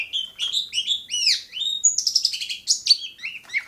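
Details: Long-tailed shrike from Bobotsari: a continuous, varied run of whistled and buzzy notes, some arching up and down, others sliding sharply, with no pauses.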